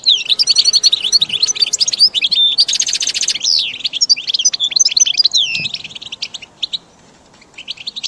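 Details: Goldfinch song for training caged birds: fluid, liquid twittering with swooping whistled notes and a harsh buzzy burst near the third second, fading into scattered chirps at the close.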